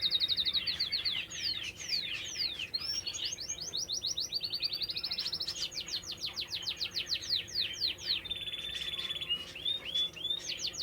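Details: Canary in nature singing a long varied song of sweeping high downslurs, fast repeated trills and rolling buzzy passages, almost without pause.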